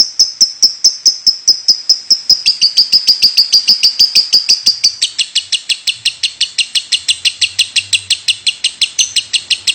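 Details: Lovebird giving its continuous 'batuk' (cough) call: sharp, high chips repeated about three times a second, a smoother whistled stretch shifting into harsher, broader notes after five seconds.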